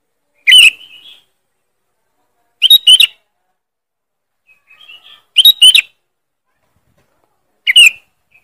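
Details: Sharp, loud sooty-headed bulbul lure call: four bright chirped bursts spaced about two to three seconds apart, some doubled, with faint softer whistled notes in one gap.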